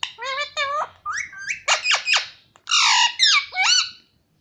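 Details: A parrot speaking Hindi words like papa, giving a quick chain of clear harmonic, voice-like syllables with rising inflections, several rapid clipped notes, then two longer drawn-out phrases, all close and loud indoors.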